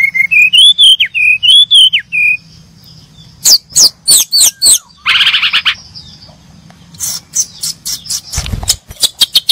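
Brown-chested jungle flycatcher: a sweet wavering whistled phrase, then bursts of sharp high chips and a short buzzy rasp, repeated in quick runs.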